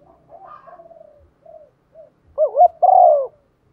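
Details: Spotted dove used as a caller to provoke others, with quiet scattered low notes before one full phrase: two quick undulating notes, then a sustained, gently falling coo.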